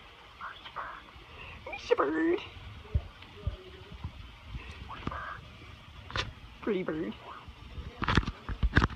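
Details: A happy pet parrot visiting an aviary talks, saying "pretty bird" in short, word-like phrases with gliding, wavering tones, while a person talks to it over a faint background rumble.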